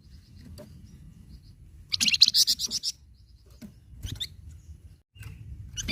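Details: Song of the flamboyan bird, meant to set captive birds singing: one dense burst of fast, high, chattering notes near the middle, framed by occasional clicks and soft low background hum.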